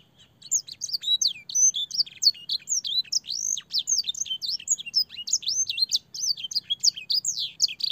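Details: Long, clear canary master song for young birds, filled with blackthroat and sanger phrases. Shrill whistled notes twist up and down in a nonstop, rapid, highly varied stream, with a faint low background hum.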